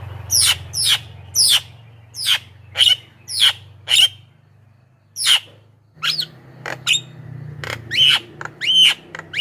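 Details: Javan myna recorded as a lure for wild birds: loud scratchy descending notes in a loose series, a short pause, then sharper clicks and whistled squeaks, over faint low hum.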